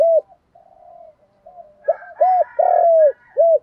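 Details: Lure recording of a spotted dove in 'giọng Đồng' style. Soft, low murmuring notes give way to a loud phrase: two short coos, a long drawn coo and a final short coo.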